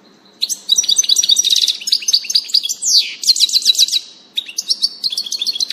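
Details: European goldfinch song recorded 16 June 2018, a lively jumble of quick high chirps and tinkling trills, with a sweeping downslurred note midway and a short pause before the twittering resumes.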